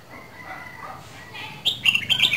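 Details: Soft faint notes lead into a quick burst of bright, slurred whistles from a caged Red-whiskered bulbul from Dak Lak, Vietnam, two seasons old.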